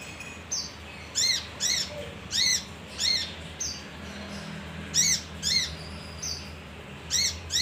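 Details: Male kinoi leafbird, a lure recording: harsh, buzzy arched notes in pairs and singles at irregular intervals, mixed with brief thin whistles, over a low steady hum.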